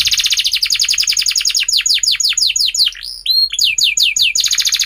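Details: Young canaries' learning lure, a canary's loud song: a fast trill turns into descending sweeping notes, a few hooked whistles, then rapid downslurs and another tight, high roll.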